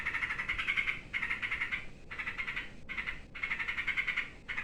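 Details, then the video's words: Frightened sooty-headed bulbul giving harsh, raspy alarm calls in long buzzing bursts of about a second, repeated with short gaps, stirring other birds into noisy calling. "SUARA BURUNG TRUCUK KETAKUTAN BIKIN YANG LAIN IKUT RIBUT"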